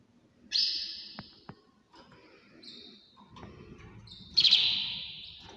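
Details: Canary song in the early morning: long sustained high trills that fade, a couple of sharp clicks, then a loud bright burst near the end.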